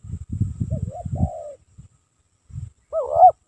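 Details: Spotted dove lure bird cooing over low rumbling knocks: a soft hooked note sliding into a drawn-out falling coo, then, after a pause, a louder rolling rising coo near the end.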